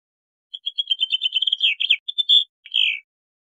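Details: Bluethroat (Luscinia svecica) song: a quick run of high, ringing notes that speeds up, then varied buzzy twitters ending on a slurred, falling phrase, with a quiet background.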